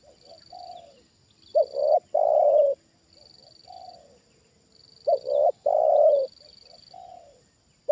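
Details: A trained decoy spotted dove reacting on its second lowering toward wild birds, giving low, hoarse cooing phrases, a softer coo followed by louder, rolling notes, repeated about every three seconds; a steady high electronic whine runs throughout.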